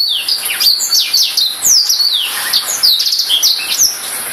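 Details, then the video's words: Continuous twittering song of a Black-throated canary, a fast jumble of high, swooping slurred notes and trills with brief buzzy elements, filling the whole stretch over a steady high hiss. "Serinus Atrogularis"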